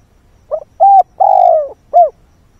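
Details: Decoy spotted dove calling at dawn to lure wild birds: one four-part cooing phrase, with a short soft note, a clear coo, a long drawn-out slightly falling coo, then a short closing coo, on a quiet background.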